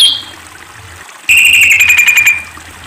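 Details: Sunda pied fantail (Rhipidura javanica), recorded for song training and trapping lures: a brief high whistle, then a strong, clear sustained note with a faint pulse that slides gently downward for about a second. Faint background hiss.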